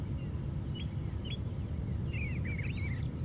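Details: Brown thrasher singing from the very top of a white pine tree: a few short high chirps, then a quick run of slurred, warbled notes near the end, over a steady low rumble.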